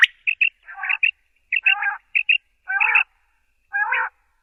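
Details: Common quail alternating short, bright chirps with longer, harsh, nasal mewing calls, irregularly spaced over a few seconds.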